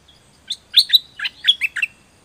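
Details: Zebra dove song for training birds: a quick run of about eight chirped, slightly buzzy notes over under two seconds, some rising and falling, in a quiet setting.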